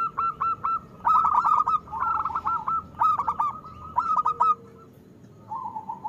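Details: Singing local zebra dove, loud and steady, meant to draw song from doves that rarely sing: a long run of quick staccato coos, then a softer trailing note.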